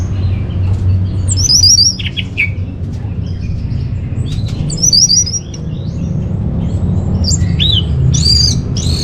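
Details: Orange-headed thrush song used as a lure and master for caged birds, Bali: sparse, well-spaced high phrases of rapid twittering notes and occasional rising whistles with silent gaps between, above a continuous low hum.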